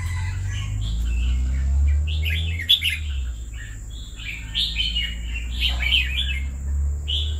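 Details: Caged red-whiskered bulbul, kept two years, singing bright warbled phrases with quick rising and falling notes clustered in bursts, over a steady low hum.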